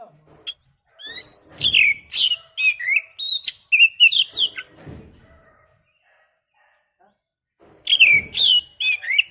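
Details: Kacer (oriental magpie-robin) lure song meant to provoke a bird into singing: rapid bursts of varied sweet whistles and trills, then a pause of several seconds before another lively burst.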